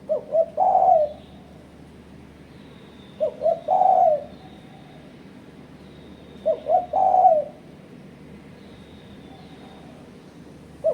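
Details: Spotted dove giving a rival-challenging call used as a lure for bird trapping: three phrases of two or three quick low hoots ending in a long throaty coo, repeated about every three seconds, with a final phrase beginning.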